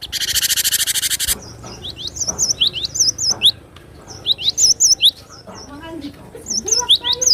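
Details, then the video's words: Cinereous tit singing to provoke and train other songbirds: a loud hiss opens, then shrill wavy whistles and rising slurs repeat in short bursts, with soft low warbling from another bird near the end. "Suara burung Glatik batu pemancing emosi pemasteran"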